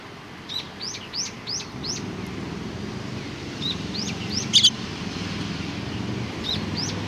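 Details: Sparrows in a group on 15 October 2018 give clear high chirps, a run of five evenly spaced notes at the start, then scattered single chirps and a brief loud double note, over low traffic-like hum.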